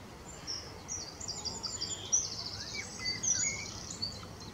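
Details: Willow warbler giving mixed singing at RSPB Middleton Lakes on 25 June 2023: high, thin phrases of quick slurred and trilled notes, faint softer whistles lower down, over steady outdoor background noise.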